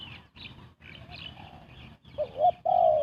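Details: Spotted dove cooing to attract birds for trapping. Faint rustling comes first, then near the end two short notes and the start of a long drawn-out coo.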